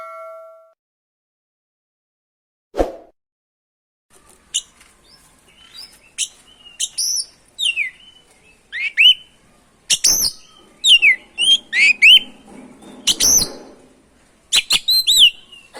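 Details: Oriental magpie-robin (kacer) singing energetically, used to provoke other magpie-robins; after a silent start with a faint tone and a click, varied whistled and chirped phrases with rising and falling notes arrive in bursts about every second.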